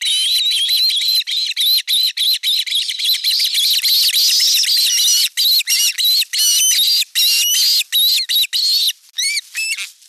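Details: Osprey calling at a Finnish nest in Satakunta, 5 August 2024, as an elder chick attacks its younger sibling during a fish delivery. A dense, nearly continuous stream of shrill whistled chips with a few rising, slurred notes near the end.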